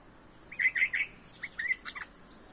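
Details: Red-vented bulbul chicks being fed by a parent in a home garden beg with three quick, harsh, rasping chirps, then a looser burst of higher, squeaky notes; quiet background.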